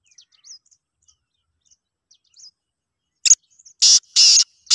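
Faint high chirps at first, then a black francolin's loud, harsh, grating notes in quick bursts.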